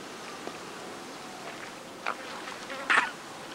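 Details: At Lago San Pablo, Otavalo, Imbabura, Ecuador, an Andean coot utters two brief, abrupt calls less than a second apart. The second is louder and harsher. A soft constant hiss lies underneath.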